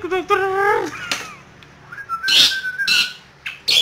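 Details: Asian pied starling singing actively while teased by hand among Yogyakarta bird-song hobbyists: a rich, rising whistled note, then rasping bursts and a thin, drawn-out whistle, with loud harsh phrases near the end.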